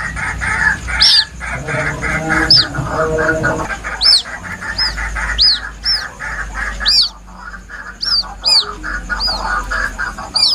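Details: White-breasted waterhen chicks give plaintive, high, thin, sharply arched peeps, single or paired and repeated irregularly, over a murmur of lower clucking and background noise. The recording is presented as a lure call.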